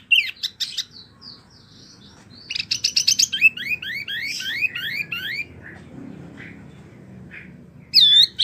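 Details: Wambi song used to train oriental magpie-robins and others: scattered sharp notes, a burst of rising whistled slurs, a long quiet gap with soft faint notes, then a loud closing phrase.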